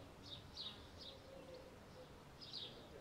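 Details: Baby starling giving short, faint, high-pitched chirps in small clusters, some doubled, with gaps between bursts over a steady hiss of background noise.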